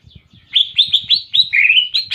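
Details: Greater green leafbird mimicking canary song: a string of high, upward-flicking whistled notes, then a lower drawn-out warble and a final rising note, over soft low rumbling in the background.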